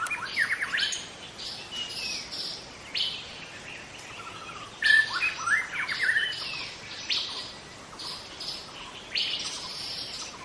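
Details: Young wild white-rumped shama in forest, singing a busy medley of bright whistles and sharp high chips, with loud bursts near the start and middle and quieter gaps between phrases.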